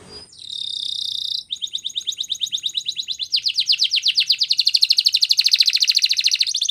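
A Belgian canary sings high and bright: a buzzy trill, then rapid repeated chips that quicken into fast, sweeping rolled notes. No other sounds.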